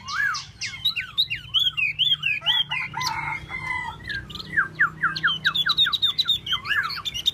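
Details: Tieu mi bird in animated solo song: a dense stream of zigzagging whistles and quick downslurred notes, several each second, with brief harsher buzzy passages in the middle.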